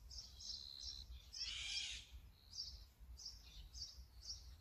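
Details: Brown-eared bulbul recorded using a Sony camera and 200-600mm lens: a single harsh, noisy squeal of about half a second, surrounded by short high-pitched chirps and thin whistled notes from nearby birds, with steady low background rumble.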